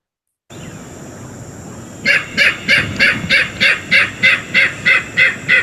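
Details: King Rail recorded in Tallahassee, Florida: after a quiet start, a series of about eleven harsh, clipped kek notes, evenly spaced, roughly three per second, over faint background hiss and a thin steady high tone.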